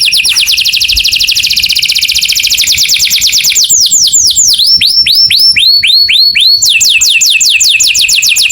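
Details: Canary singing in the morning, a rapid rolled trill giving way to series of repeated looping whistles at changing pitch, each series steady and evenly spaced.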